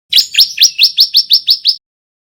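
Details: Eight evenly spaced, bright upslurred notes, about five per second, sung by a young male bar-winged prinia learning to sing. The run is clear and steady.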